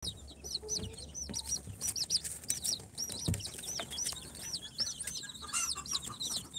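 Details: Newly hatched incubator chicks of Sultan, Golden Sebright, Cochin and booted breeds, four days old, peeping together: a steady stream of high, arched, repeated peeps from many birds overlapping, with faint low rustling beneath.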